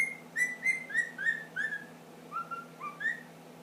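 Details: Young pet ring-necked parakeet, ten months old, whistling the Addams Family song indoors: a quick run of short, clear, slightly falling whistled notes, a pause, then three more in rhythm.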